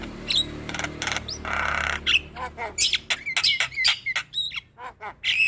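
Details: Javan myna (jalak kebo) song used to stimulate a lazy bird; a noisy start with a low hum, then a fast sequence of harsh squawks and short whistled notes.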